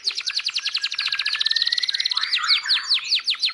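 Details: Canary singing a fast run of sharp repeated trill notes, about a dozen per second, sliding into a lower rolling trill, then ending with slower, louder downswept whistled notes spaced roughly a quarter second apart.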